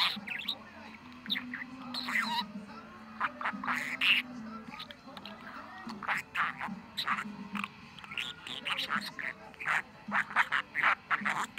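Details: Pet budgerigar on 23 November, talking busily: a long stream of fast, scratchy, murmured syllables with occasional squeaky notes, rising and falling in loudness, over a low continuous hum.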